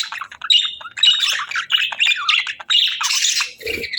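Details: Budgie chatter, a continuous run of squeaky, buzzy high notes and short squawks with hardly a pause, ending in a brief low rustle.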